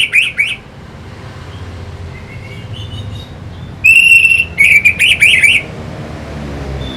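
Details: Lure song of an orange-headed thrush to provoke fighting birds: wavering warbled notes, a quiet stretch with soft twitters, then a long level whistle followed by four or five rapid wavy notes.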